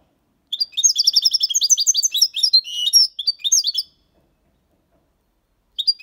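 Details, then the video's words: Six-month-old European goldfinch singing a clean Malaga-copy song with motifs, trills and flourishes: a rapid tinkling run of twittering, buzzy notes lasting about three seconds, then silence before the next phrase starts. "Jilguero cantando Limpio 6 meses/ chardonneret chante la copia Malaga / Goldfinch singing"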